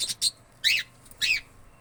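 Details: Indian ringneck parakeet uttering short, shrill squawks, two quick notes then two longer, slightly falling screechy calls spaced about half a second apart.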